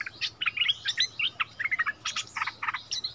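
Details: Bulbul dueling with a resident territory holder in February 2021, a decoy bird returned to its old area. Dense, rhythmic chirping and warbled notes in quick clusters, loud throughout, over a faint hum.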